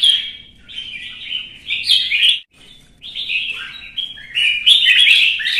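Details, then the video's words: Competitive song of a red-whiskered bulbul: chattering, warbled phrases, a brief silence, then a louder, busier run of sweet whistles and scratchy notes. "CHÀO MÀO | Kè kích chim hót đấu kích ché căng lửa"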